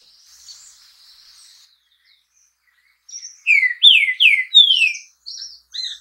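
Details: Green-winged saltator (trinca-ferro, pixarro) delivering a burst of four or five loud, slurred whistles that fall in pitch. Brief higher notes trail after, and faint high twittering from other birds opens the recording.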